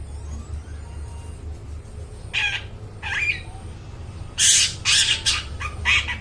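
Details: Long-tailed shrike singing loudly, played to lure and train mute shrikes: after quiet hum, two short harsh notes, then a cluster of loud rasping, broadband bursts in the final two seconds.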